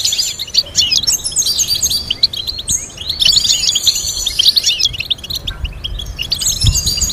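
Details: Goldfinch singing stimulating melodies for other goldfinches to learn: continuous fast twitter of tinkling notes and buzzy trills, dense and unbroken, with a light thump near the end.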